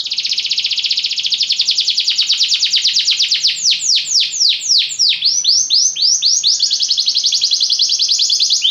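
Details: Belgian canary in full song: a long rapid rattling trill that shifts into a run of loud falling sweeps, then returns to a fast buzzy roll, all high and continuous.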